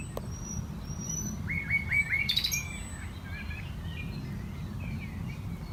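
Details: Common Nightingale singing in May 2018 at the Knepp rewilding project, a former arable farm in West Sussex, heard from a tree platform; a short run of downslurred whistles repeated rapidly, a sharp burst mid-phrase, low rumble beneath, blackbird in the background.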